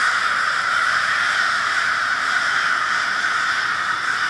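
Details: Massed crows, Minneapolis, February 20, 2020, loud and relentless; dozens of grating caws merge into one dense roar without any break.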